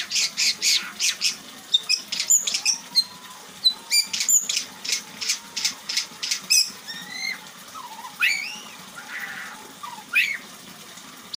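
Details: White-rumped shama delivering imitated phrases in its song: a string of dry clicks and rattles, then sharp ticks followed by upswept and curving whistles with a brief buzzy trill near the end.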